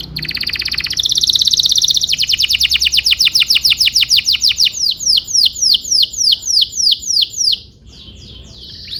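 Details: Canary in full voice, a tutor song for training young canaries: a dense high buzzing roll that shifts into a long chain of fast, repeated down-slurred whistled notes, about three per second, ending in a brief pause.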